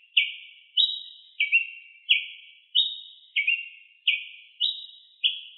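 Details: Ruby-crowned tanager singing a lot in nature, repeating bright chirps about twice a second; some lower notes come doubled, others higher and single, and the background is otherwise silent.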